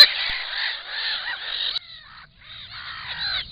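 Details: Black-winged stilts at the nest with an enlarged clutch: a near-continuous stretch of harsh, grating calling that stops abruptly, then a short pause and a quieter, rougher burst of calls.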